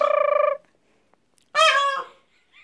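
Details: Peachicks giving alarm calls after being startled: a buzzy, rapidly pulsed honk about half a second long, silence, then a louder, rougher honk that fades out.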